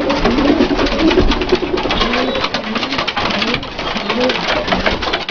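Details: A group of Dalıcı breed pigeons in an indoor loft, soft low coos repeated in the first seconds and again later, under steady clatter and rustling from many birds.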